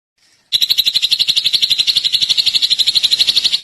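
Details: Drongo singing a rapid, even trill of buzzy notes near the same pitch, pulsing about twelve times per second for three seconds after a brief quiet start.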